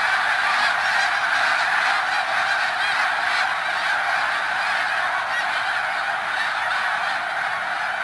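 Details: Snow geese gathered at Middle Creek WMA, Pennsylvania; loud overlapping honks from a huge flock, with individual nasal yelps briefly standing out from the steady clamour.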